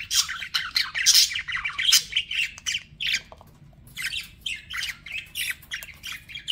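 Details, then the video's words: Pet budgerigars chirping: a busy stream of scratchy, buzzy chatter and short squawks, high-pitched, in uneven bursts with a quieter patch midway, over a faint low hum. "BUDGIE SOUNDS"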